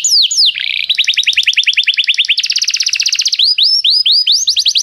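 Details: Canary song used for song training, a dense run of rapid repeated trills: downslurred notes, then fast buzzy rolls of even syllables, then a higher roll and looping whistled phrases, all loud and continuous.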